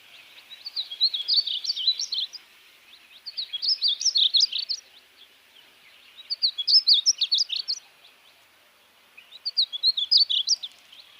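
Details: Painted Bunting in Texas singing four bright, rapid warbling phrases, each about two seconds long, high and sweet, spaced by short pauses.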